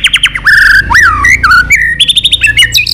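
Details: White-rumped shama singing to incite fighting: dense, varied whistles with quick trills, swooping slurs and chattering notes running without pause through the whole stretch.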